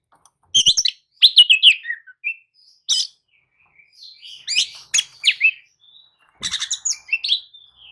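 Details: Oriental magpie-robin (kacer) lure song, meant to stir a sluggish magpie-robin into answering and singing: bursts of rich whistles and harsh chattering notes, separated by short silences, with a brief sweet whistle near three seconds.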